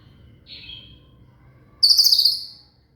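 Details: Song of a shama (murai), meant as learning material for a cililin: a faint high note, then a short, loud, buzzy trilled phrase with rapid pulses that fades away.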